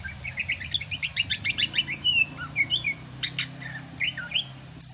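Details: Sumatran greater green leafbird in full song during the rainy season, fast string of bright chirps and clicks followed by whistled slurs and rising notes, lively and varied.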